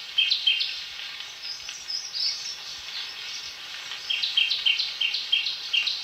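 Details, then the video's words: {'caption': 'Bursts of quick, sharp, high chirps from a shrike-babbler, a pause with softer notes, then another fast chirping series, all over a constant high-pitched insect hum.'} "Tiếng chim Khướu Shrike, Khướu mỏ quặp cánh vàng"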